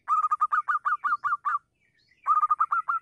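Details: A local zebra dove in the morning, used as a lure call, gives rapid runs of short, mellow cooing notes, about eight in a burst, then a brief pause before the next run begins.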